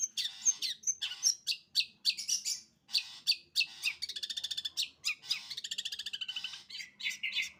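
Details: Long-tailed shrike in sembur song, pouring out harsh scratchy notes and piercing squeaks, with stretches of rapid rattling trills, busy and nearly continuous.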